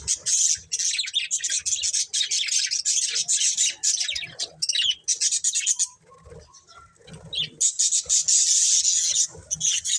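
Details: Budgies chatter steadily with dense, buzzy warbles and chirps, a quieter gap partway through, then the busy chirping resumes.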